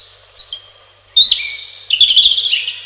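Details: Singing robin delivering two phrases: a sudden high whistled sweep that slides down and fades, then after a short pause a fast, jittery sequence of high tinkling and twittering notes.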